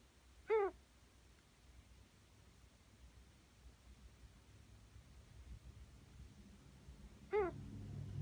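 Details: An almost one-year-old pet female Ringneck dove, healthy and alert, gives two brief, nasal, slightly bending notes about seven seconds apart over quiet room hum; her owner finds these strange calls increasingly frequent.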